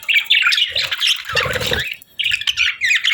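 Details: Budgerigars, kept as pets, chirping cheerfully: bursts of buzzy, warbling chatter with quick squawky notes, briefly broken by a lower rough sound near the middle, then resuming in dense twittering.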